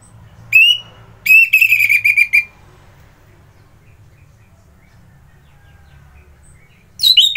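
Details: Morning song of an orange-headed thrush from Kubutambahan, Singaraja, Bali: a brief whistle, then a quick burst of rich, ringing notes lasting about a second, a long pause, and a sharp high note to close.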